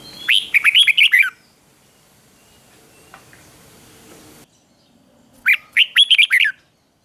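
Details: Red-whiskered bulbul, 'ché' fighting song meant to excite males: a quick string of bright, slurred warbles, a quiet hissy gap, then a second similar phrase of rapid whistled notes.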